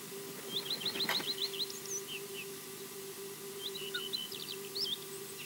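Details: Osprey EJ, heard but not seen on the Loch Garten nest camera in Scotland, gives two quick bursts of high, whistled, down-slurred chirps, about eight notes each, over a steady low electrical hum.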